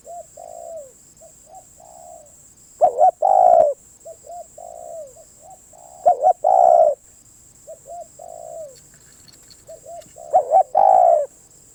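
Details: Spotted dove song with three loud phrases about every four seconds, each a stuttered double coo then a drawn-out coo. Quieter answering coos fill the gaps over a constant high electrical whine.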